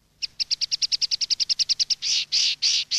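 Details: Common linnet song in the campero style for tutoring young birds: a rapid, even trill of about eighteen crisp notes, followed by four longer, harsher buzzy notes.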